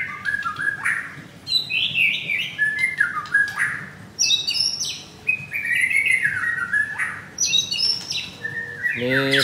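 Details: Caged white-rumped shamas at a bird shop in Kemayoran, Jakarta, aged two to three moults, recorded on Monday 25 April at eleven in the morning; a rich, varied series of loud whistled phrases, slurred notes and sharp chips.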